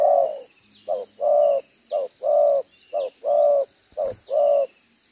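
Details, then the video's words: Wild-type spotted dove decoy bird with a two-row spotted collar, singing the 'gáy 1 hậu' (one-ending) coo style, recorded 11 June 2023: short note then longer mellow coo, paired and repeated about once a second, steady high hum behind. "ĐỒNG gáy 1 Hậu"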